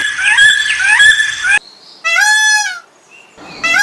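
A goose gives loud, nasal honks: a few overlapping ones, then a single drawn-out arching honk and another starting at the end.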